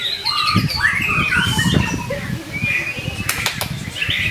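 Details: White-rumped shama of the Medan type pouring out varied whistled phrases with slurred rising notes, sung to provoke other shamas into song. Low rumbling background noise and a few sharp clicks are heard.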